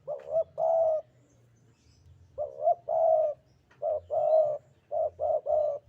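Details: Vocal Javan spotted dove in sandungan kuk-kuk style, repeating its cooing phrase three times: each is a short wavering note or quick pair of notes followed by a longer, steady, hollow coo, spaced a second or two apart.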